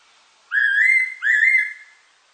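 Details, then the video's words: A single fairy pitta phrase of two clear whistles, each sliding upward and holding briefly, the second following closely after the first, with quiet surroundings. "팔색조, 1번 듣기, 곤충소리, 새소리"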